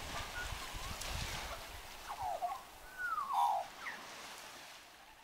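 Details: Singing magpie giving fluting whistles that glide downward, with a few brief rising notes between them, set against a soft hiss of background noise.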